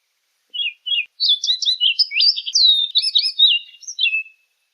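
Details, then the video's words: Orchard oriole song: two short paired whistled notes, then a fast, jumbled run of varied slurred whistles and chattery notes, some sliding downward, ending on a fading trill, about four seconds long. "Orchard Oriole Bird Singing, Calling, Chirping, Sound - Calandria Castaña Canto - Icterus Spurius"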